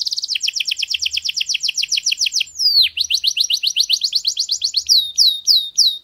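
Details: Flawless canary song for teaching chicks: a long, fast run of paired high notes, a swooping downward whistle, a rising chirp series, then a few slurred sweeps; faint low rumbles in between.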